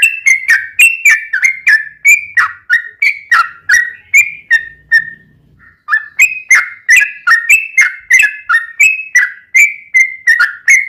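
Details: Yellow-vented bulbul singing in the rapid, continuous ropelan style, laced with ngelituk and straw-headed-bulbul-like phrases, used to tutor and lure kept bulbuls: bright, bubbly notes repeated about three per second, with a brief pause midway.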